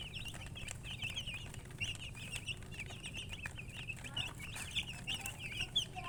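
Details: Group of chicks peeping, bright short high notes in steady overlapping chatter, with a noticeable low mechanical-sounding hum running beneath and a few faint rustles.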